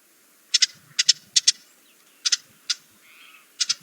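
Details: A wintering Ruby-crowned Kinglet in North Carolina gives sharp, high, two-part calls, quick doublets repeated at uneven intervals of about half a second to a second.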